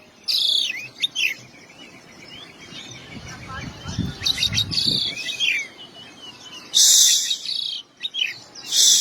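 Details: Oriental magpie-robin (kacer) in full isian song, mixing crisp chirps, descending whistled slurs and two loud raspy bursts, with faint low murmuring underneath.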